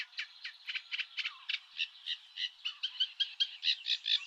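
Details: Eurasian reed warbler, a bird of European reed beds, gives its specific call: a steady run of harsh, high, scratchy chattering notes, about four per second, at normal speed.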